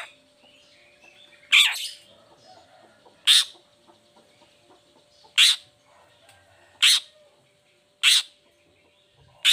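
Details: Cendet, the long-tailed shrike, in a lure recording for lazy or moulting shrikes: short, rasping, scratchy notes spaced one to two seconds apart, quiet gaps between, a faint steady hum throughout.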